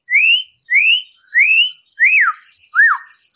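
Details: White-rumped shama song, rough 'tembakan' style used as bait for a captive shama's emotion: five loud clear whistles, the first three rising, the last two arched and falling, repeated about every 0.7 seconds.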